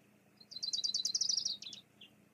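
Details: Bald eagle at a nest on Fraser Point, filmed by live cam, female calling as she drives the male away after he delivers a fish to the chicks; a rapid, high, slightly descending chattering series of about fifteen sharp notes, then two brief trailing notes.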